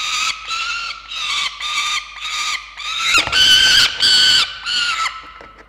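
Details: Peregrine falcon chicks at their nest, watched by a nest-ledge camera over a day: harsh, harmonic wailing squeals repeated almost without pause, each drawn-out note about half a second, louder and rougher in the middle stretch.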